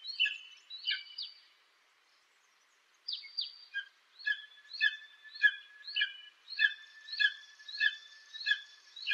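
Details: Eagle call series: clear, harmonic, down-slurred whistles repeated at a steady pace after a few scratchier opening notes and a short silence.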